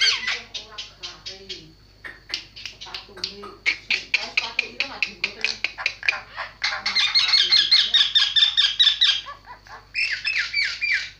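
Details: Javan myna song: fast runs of harsh, chattering notes about two per second, then a dense burst of buzzy, squeaky phrases and a final grating stretch.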